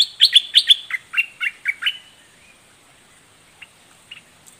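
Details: Red-whiskered bulbul of southern Thailand in a doubled, spirited song: a fast run of clear chirps sliding lower across the phrase, then fading to a few soft distant notes.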